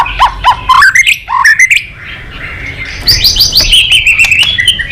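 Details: White-rumped shama in full energetic song rich in mimicry, used to rouse other shamas: quick upward-sweeping whistles and sharp notes, a brief pause, then a dense run of high chattering and whistled phrases.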